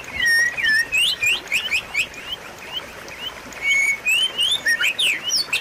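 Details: White-rumped shama song used to stimulate a quiet bird to sing again; clear swooping whistles and rapid upward chirps in loud bursts, separated by a softer stretch, then a long level whistle and more quick notes.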